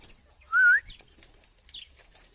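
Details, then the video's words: A tame sooty-headed bulbul gives a single loud, clear whistled note that wavers slightly, then quiet with faint background ticks. "Kicau burung kutilang jinak gacor"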